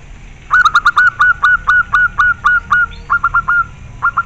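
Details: Local zebra dove (perkutut) in full song: a long, loud series of about fifteen short, clipped, ringing notes at a steady pitch, with a brief pause before the last few.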